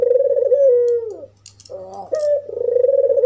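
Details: African collared dove, albino white with red eyes, calling to provoke other doves: a pulsing coo sliding downward, a pause, a grating buzzy note, then a sharp rising entry into another trilled coo.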